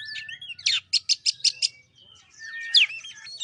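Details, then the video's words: Shama song used to prompt a silent bird: a burst of six evenly spaced sharp chips, followed by warbled whistles and a loud rising slurred note. "Pancingan kacer males bunyi"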